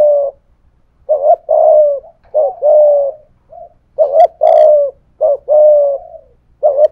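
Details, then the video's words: Spotted dove used as a decoy, cooing in the 'thổ pha thúc' style to challenge a wild dove; husky mid-pitched coos, short pickup notes then drawn-out falling notes, with a brief higher click around four seconds. "cu gáy giọng thổ pha thúc GÙ đấu với bổi, tiếng gáy bổi nghe rất ghét và gáy theo hiệu quả"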